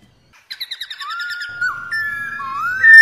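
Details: Female white-cheeked laughingthrush in 'ro' calling, used to excite males into song: a quick stuttering series of about seven short rough notes, then long smooth whistles that dip and rise, growing louder toward the end.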